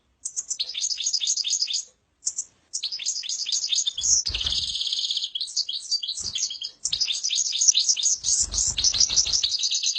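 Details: Tame goldfinch in continuous, high-pitched twittering song: rapid chattering notes and buzzy trills run almost without pause. Two short breaks interrupt it, and faint low thumps are heard under it.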